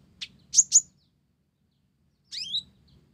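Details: A blorok olive-backed sunbird sings Java sparrow-style phrases. Three sharp high chirps in quick succession, a pause of over a second, then a descending twittered flourish.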